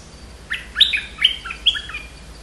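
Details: Streak-eared bulbul singing a short phrase of four quick, bubbly whistled notes, rising and falling with clear gaps between them. The background is quiet apart from a faint low hum.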